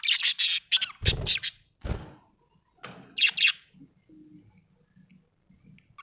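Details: A happy budgie gives rapid, scratchy high chirps and squawks in quick bursts, then a softer pair of chirps; a couple of low knocks and faint low murmuring follow.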